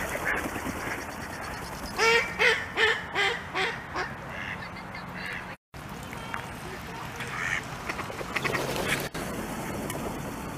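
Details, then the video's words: Mallards on ice in winter give a run of five or six loud, nasal quacks in quick succession, then softer scattered calls and wing noise as they fly off, over a steady background hiss. "Ducks Having a Conversation"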